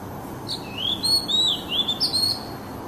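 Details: Oriental magpie-robin singing, offered to calm stressed kept birds: a run of bright whistled notes, several looping up then down, delivered in quick bursts with short gaps, clean against faint background noise.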